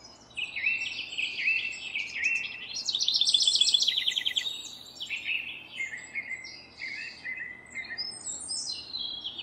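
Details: Nest-building house wren delivering a rich gurgling song: rapid, bubbly cascades of high chattering notes, swelling into a dense, loud rattling burst midway, then tumbling phrases continuing over a faint low hum.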